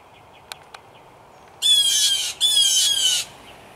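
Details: Several blue jays, three to five, fighting over territory in a tree right outside a house: two loud, harsh, raspy calls follow each other closely after two faint clicks, with quiet background between.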